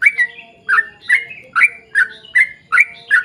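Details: Sooty-headed bulbul in lively long rapid song, played to lure other bulbuls into singing: bright, slurred notes with a sharp rise and fall, repeated about two to three times per second over a faint low hum.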